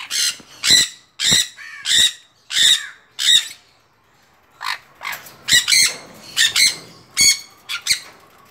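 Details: A 5-month-old sun conure gives loud, harsh squawks in quick bursts, repeated over and over.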